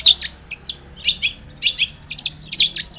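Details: Long-tailed shrike giving a varied, lively song used as a lure: clusters of harsh, scratchy notes mixed with thin whistled slurs, in uneven bursts.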